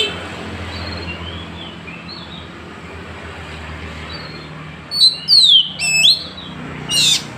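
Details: Oriental magpie-robin in Woncoyo village, Trenggalek, gives a sought-after "shot" song said to make rivals back down: a burst of loud, sweeping whistles and sharp rising notes lasting about a second, then one more bright phrase. Faint distant chirps come before it.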